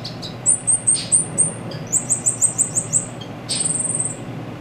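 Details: Song of the silil: runs of very high, sharp slurred notes repeated in quick series of five or six, followed by a thin, level, buzzy trill, against faint low background hum.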